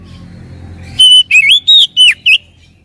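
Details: Lure recording of oriental magpie-robin song meant to provoke a quiet bird into answering: a single short phrase of a clear sustained whistle followed by four or five quick, bouncing slurred notes, after a low background hum.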